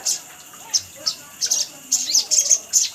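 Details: Rapid, uneven series of sharp high chips and short chittering bursts from a little spiderhunter, known locally as sogok ontong, on a lure recording.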